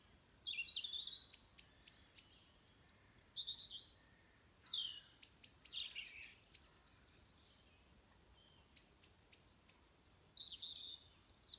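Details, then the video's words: Dawn chorus at 06:45 on 22 November 2020: busy high twittering with rapid clicks and sweeping whistled notes, several birds overlapping, a quiet pause in the middle, then the chattering resumes. "Morning Bird Song"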